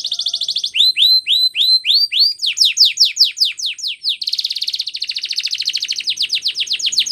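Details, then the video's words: Singing canary for training: a rapid trill, a run of rising hooked whistles, steep falling notes, then a long buzzy rattling roll to the end. "Canary singing"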